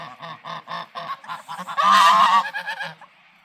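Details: Farm geese happily honking together: a run of loud, nasal, harmonic honks repeated about three times a second, building into an overlapping chorus before tailing off.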